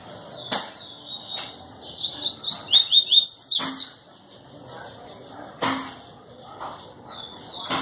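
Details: Yellow-bellied seedeater (papa-capim) singer with a distinctive song style, recorded in Pau Brasil, Bahia, Brazil, on 25 May 2018. It gives high, sweet, fast-warbled phrases with rapid trills and sharp clicks in between.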